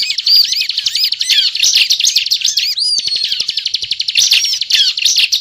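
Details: Bar-winged prinia (ciblek) singing nonstop for use as a bird-trapping lure: rapid rattling trills and sharp chirps, with one long drawn whistle midway.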